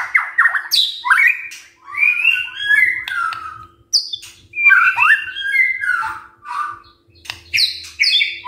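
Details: White-rumped shama song used as a morning lure to make silent shamas answer; rich, varied phrases of clear whistles, slurred rising and falling notes and harsh buzzy bursts, delivered in quick bouts with short pauses, faint steady low hum underneath.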